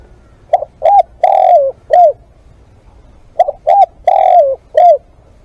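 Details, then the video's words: Spotted dove singing live as a decoy: two phrases about three seconds apart, each a short note, a bent coo, a long falling coo and a final curved note, mid-pitched and clear. "เสียงนกเขาใหญ่ ต่อสด"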